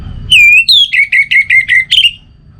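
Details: Orange-headed thrush giving a loud, pure whistled phrase: a sustained dipping whistle, a higher slurred note, then a rapid run of short, even notes ending with a brighter upturned flourish.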